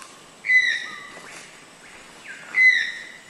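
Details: Toucan, a noisy rainforest bird, giving two loud, clear, high yelping notes about two seconds apart, each steady then slightly falling with bright overtones, a softer lower note between them.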